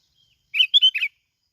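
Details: Plain-backed sparrow from Binh Thuan, Vietnam, kept as a lure bird, delivering one crisp phrase of four loud chirped notes in about half a second on a quiet background.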